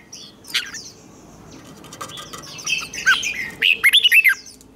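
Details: Red-whiskered bulbul competitive song for training: scattered chirps over a busy background, building into a run of quick, bright, looping notes near the end.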